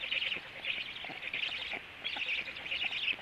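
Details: Black stork nest at 14:45 with the male just returned and feeding under way: rough, wheezy bursts repeated about twice a second with brief pauses between, over faint background noise.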